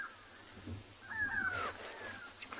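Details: Grey go-away-bird alarm calling on a sunset safari on 31 July 2020: one nasal, drawn-out cry sliding slightly downward over about half a second, then faint clicks against a low background hum.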